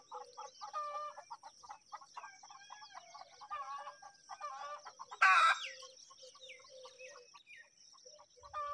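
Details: Baby mynas at feeding time give a busy run of harsh, nasal chattering notes, one sudden loud screech midway, over a steady high insect-like hiss.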